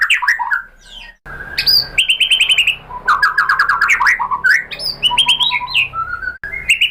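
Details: Varied white-rumped shama song meant to set off other shamas singing: clusters of sharp chirps, rapid rattling runs and sweet slurred whistles, switching patterns every second or two.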